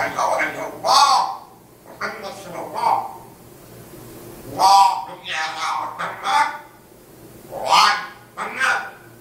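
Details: Pet African grey parrot in Riyadh reciting Surat al-Fatiha and repeatedly praising God: speech-like spoken phrases in separate bursts with pauses between, in a small indoor room.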